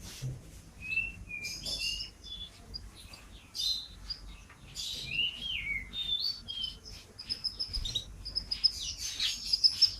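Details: Champion canary in full chatty song, used as tutor audio for training and prompting caged birds at home: short scattered whistled notes and high buzzy bursts come in loose phrases, with quiet gaps between them.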